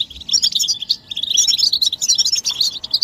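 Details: Collective goldfinch chattering, mating and readiness calls offered as stimulation to make a male sing: a fast stream of sharp, liquid high twitters and trills, starting softly then running almost unbroken.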